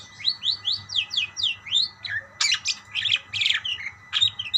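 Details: Budgerigars exchanging calls: a series of quick upward-sweeping chirps repeated several times, followed by harsher squawky notes and squeaks, with a soft low hum behind.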